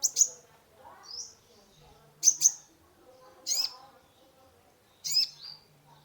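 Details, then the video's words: Sunbird called kolibri ninja, singing to stir a stressed caged bird: high chips in pairs and short downslurred notes every second or so, with low background voices and hum. "Terapi pancingan konin gacor full isian mengatasi burung stress"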